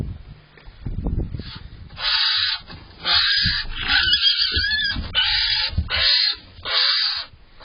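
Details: A barn owl pair on 5 April 2023, around dawn, as the male repeatedly brings prey to the female: harsh, hissing screeches, each about half a second to a second long, repeated roughly once a second, after low thumps and rustles.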